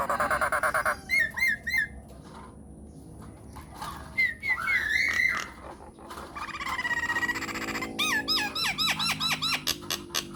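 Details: Myna lure recording meant to make other mynas answer: bursts of rapid, hooked, harmonic notes repeated several per second, interrupted by pure rising and falling whistles and a harsh buzzy stretch, then more fast hooked notes.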